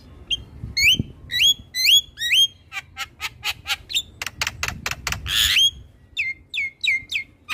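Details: Black-winged starling master song to train young birds: upward-sweeping whistled notes, then a fast series of harsh clipped squawks, a noisy rasping burst, and more rising whistles.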